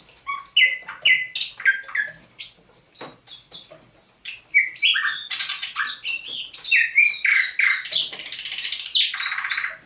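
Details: Dawn song of a captive thrush nightingale caught near Saint Petersburg in May 2019, recorded 27 November 2021: rapid series of piping whistles and chirps, ending in a harsh, rattling buzzy passage.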